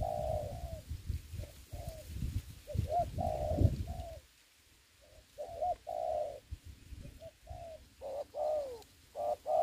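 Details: Spotted dove used as a ground decoy for trapping in Vietnam during the Covid season: strong, repeated coo phrases of short notes and longer falling notes, with a brief quiet break and low thuds early on.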